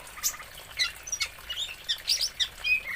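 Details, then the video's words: Oriental magpie-robin from Aceh, Indonesia, delivering a busy, jumbled medley of sharp high chirps, scratchy notes and brief whistles in quick bursts, with no other clear sounds. "BURUNG KACER ASAL ACEH"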